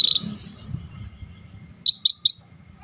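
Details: A scaly-breasted bulbul sings a single high, thin note, then a quick run of three bright, sharp whistled notes about a fifth of a second apart, over a faint low hum.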